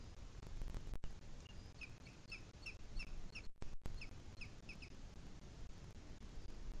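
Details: Booted eagle in the Sierra de Guadarrama, 2 July 2021 at 17:53: a loose run of short, high, sharp notes with thin overtones, irregularly spaced over a few seconds, above steady low wind rumble.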